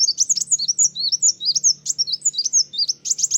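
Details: A sunbird's vigorous, provoking song: a dense, nonstop jumble of high, twisting, squeaky whistles and sharp chirps, delivered at a fast pace.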